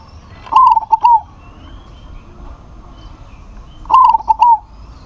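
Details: A local zebra dove calls to challenge a rival, which answers; two bubbling coo phrases three seconds apart, each quick stuttered notes closing with a drawn, slightly falling coo, soft chirps in the background.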